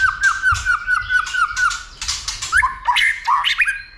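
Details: White-rumped shama trained to sing many voices, stimulated to fight; a fast row of identical clear whistled notes, about eight in two seconds, followed by buzzier clicks and rising and falling slurred whistles.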